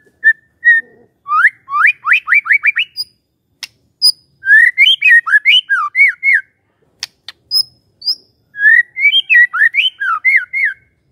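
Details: Magpie-robin song used as a lure to make a silent bird answer: bursts of quick clear whistled notes, slurred up and down, several trilled runs separated by short pauses and a few sharp clicks, in a quiet setting.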